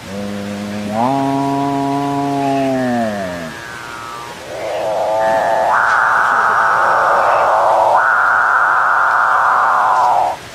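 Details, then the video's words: Excited capuchinbirds mooing at each other and at the recordist: a low, buzzy harmonic drone steps up, holds, then slides down. After a pause comes a loud, broad, cow-like moo that rises in two steps and is held for about six seconds. "Capuchin Birds Sing"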